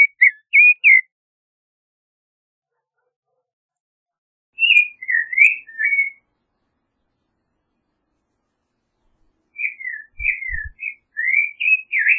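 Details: Creamy-bellied thrush singing three separate bursts of quick, twisting whistled notes with long silences between them, the last burst the longest.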